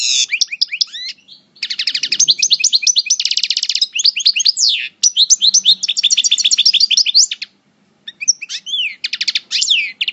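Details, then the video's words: Coupleur-style song of a parva goldfinch in moult, El Bordj: long, dense, fast twittering with rapid repeated notes, buzzy bursts and quick trills, broken by brief pauses, with a faint low murmur in the background. "Chant Chardonneret Parva Coupleur En Mue"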